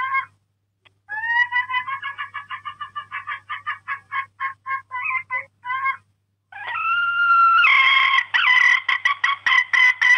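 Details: Parrot calling indoors: a rapid series of short, harmonic, nasal notes, about four per second, then a pause and a louder, harsher run of squawking calls with a low steady hum beneath.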